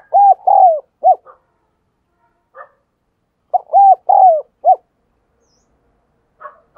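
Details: Decoy spotted dove cooing hard to prompt other doves to call: two deep four-note phrases roughly three seconds apart, each with a clipped start, two long mellow coos and a short end, faint brief notes between.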